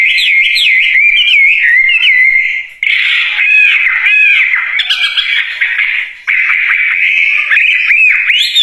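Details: Wambie bird singing continuously in a loud, energetic gacor style: fast warbled phrases of high twisting whistles and rapid rising and falling trills, broken by two short pauses, with no other sounds.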